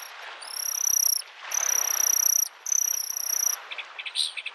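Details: Spring Bluethroat by a lake delivering long, high, sustained buzzing trills of about a second each with short pauses, followed by a few quick chirps; gentle waves in the background.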